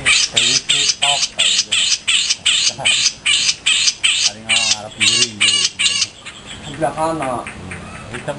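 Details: Grey-cheeked bulbul (cucak jenggot) kept as a master bird, producing a rapid series of harsh, raspy squawks about twice a second for six seconds, then quieter nasal chattering notes.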